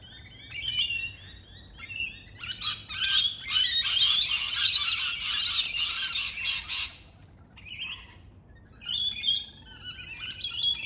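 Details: Rainbow lorikeets, morning visitors perched in pear and apple trees in a South Australian backyard, give harsh, rapid screeching chatter, a dense burst of shrill overlapping calls in the middle with shorter squawking bouts before and after.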